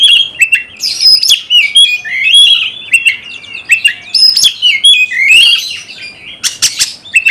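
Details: Caged Oriental magpie-robin song meant to stir another bird into fighting: rich fluting whistles interleaved with scratchy rasping notes and quick clicks, bright and nonstop, ending in a few sharp staccato bursts.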